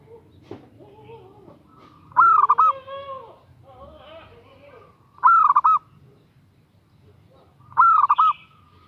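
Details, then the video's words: Female zebra dove calling a male: three loud stuttering coo phrases spaced a few seconds apart, over softer lower drawn-out calls and faint chirps from other birds. "Perkutut Betina Memanggil Jantan"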